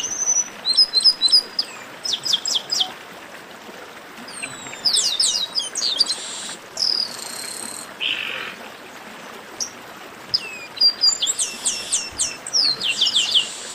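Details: Chestnut-capped blackbirds chattering together, meant to warm up singing birds. Rapid series of high clicks and whistles, with several birds overlapping and buzzy notes in between, in bursts with steady low background hiss.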